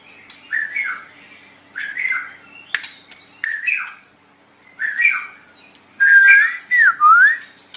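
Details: Captive white-rumped shama song for teaching other pet birds: short harsh chattering notes repeated roughly every second, then a clear whistled phrase that dips and rises at the end, with a faint steady hum.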